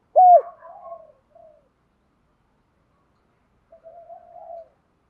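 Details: Spotted dove cooing, used to excite other doves into calling: one loud, low hollow coo that bends down at its end, then faint soft murmuring notes and, after a pause of about three seconds, a quieter drawn-out coo.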